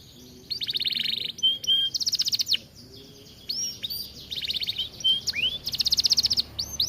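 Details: Atlantic canary song alternating harsh, buzzy rattling trills with clear swooping whistles and short pure notes, the rattles repeated several times in a loud, vigorous performance.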